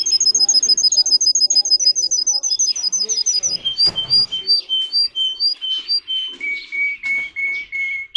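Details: Canary of the Russian singing type, bred for song: a rapid high trill of clipped notes, a brief noisy break, then slower, lower, sliding whistled notes repeated at a steady pace, ending in a sustained even warble.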